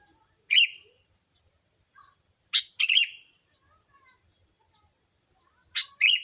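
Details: Sooty-headed bulbul lure call used to attract bulbuls: sharp, raspy bursts, mostly in pairs, separated by stretches of near silence and a few soft chirps.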